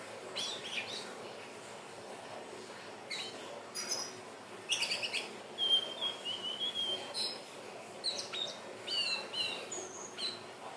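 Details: Indigo flycatcher song, used as a lure to attract birds: scattered thin high whistled phrases, some sliding and warbled, plus short sharp chirps coming in irregular bursts against a steady faint background hiss.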